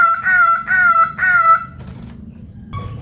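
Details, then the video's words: Hooded butcherbird from Papua giving three steady, rich, nasal-toned notes about half a second each in quick succession, then a brief fainter note after a short gap, with low background hum. "Burung Jagal Papua Gacor Unik dan Lucu. Si pinguin Endemik Papua Bersuara Merdu"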